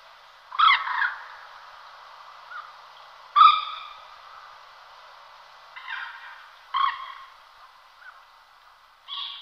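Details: Common moorhen giving typical alarm calls: loud, abrupt, harsh croaks, about six in nine seconds at uneven intervals, some with a quick rolling double note, over quiet background hiss.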